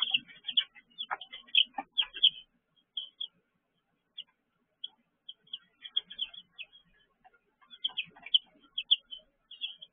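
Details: Baby chicks in a brooder, recorded 19 June 2023 at 6 pm: short, high peeps in quick clusters, pausing midway and then resuming, with soft scratching and tapping noises underneath.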